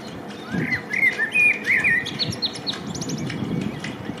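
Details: Male common blackbird (Turdus merula) singing in spring: a mellow, fluty warbled phrase, then a burst of high, squeaky twittering notes, over a low background rumble.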